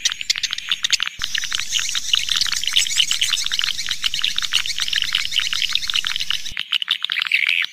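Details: Swiftlet calling sound used to attract swiftlets: a continuous, dense mass of high twittering chirps and buzzy clicks, with a faint low background rumble and short breaks near the start and end.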